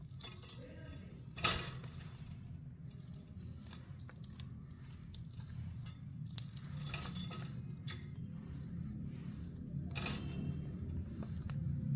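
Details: Only a low indoor rumble comes through, broken by a few sharp clicks and clinks, with no clear animal voice.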